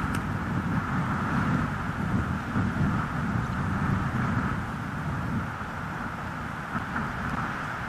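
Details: Loud rushing wind buffeting the microphone over a deep rumble, with no animal sound.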